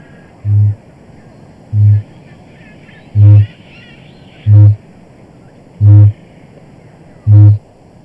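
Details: At night on his mating arena, a male kakapo booms six times to attract a mate, giving deep hollow thuds roughly every 1.3 seconds that grow slightly louder, with faint music underneath; he repeats this thousands of times nightly.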